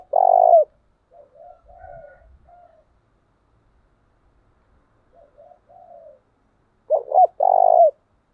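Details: A decoy spotted dove used for training gives low, hollow coos: loud phrases open and close, with softer murmured notes between and brief quiet gaps.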